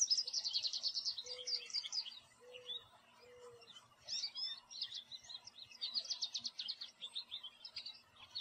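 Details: An American goldfinch sitting in a backyard tree sings a long, jumbled run of high, rapid twitters and sweet chips in bursts, with three soft low whistles from another bird early on.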